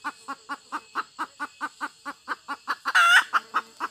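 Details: Evenly paced hen clucks repeat about four times a second, and a loud, rasping squawk cuts in near the end.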